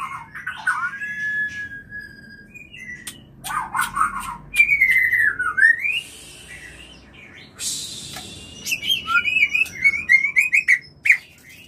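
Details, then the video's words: White-rumped shama mating call meant to bring on breeding: rich whistled notes, descending slurs and bursts of harsh chattering, followed by a quick run of repeated clipped notes near the end. "Semua Murai PASTI BIRAHI PASTI KAWIN Hitungan Detik - Murai Kawin"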